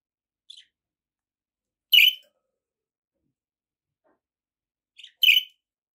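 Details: Chirps from pet budgies: a soft short note, then a sharp, raspy chirp, a three-second pause, and a brief twitter leading into another harsh chirp.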